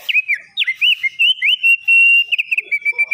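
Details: Black-winged starling delivering a rapid string of looping whistled slurs that settles into a long steady whistle, then short choppy whistled notes.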